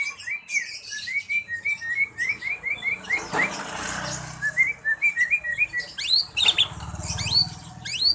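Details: Songbird in breeding condition, starting to try its 'trek' song; rapid runs of short, sharp chirps repeated several times a second, broken by brief high squeaky notes and occasional clicking and rustling.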